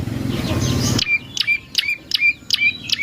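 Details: Prinia song used as a lure for other birds. After a second of low rumbling noise, sharp high notes sweep downward, each ending in a short steady tail, repeated quickly and somewhat irregularly.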